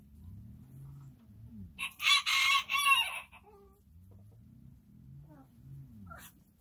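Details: Chicken crowing during a calm day: one harsh, broadband crow of about a second and a half, rising then breaking into ragged bursts, with faint low rumbling in the background before and after.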